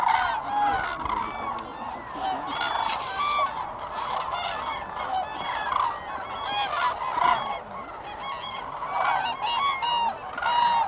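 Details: Common crane gathering at Sweden's Lake Hornborga, April 2017: a steady roar of trumpeting calls from many birds, some clear bugled notes rising out of the dense background chorus.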